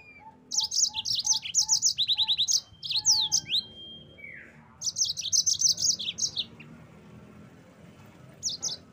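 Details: Yellow-fronted canary singing in rapid high chirping trills and repeated sweeping notes, with a short row of soft lower pulsed notes at the start, a buzzy downward slide midway, then another bright rattling run before fading.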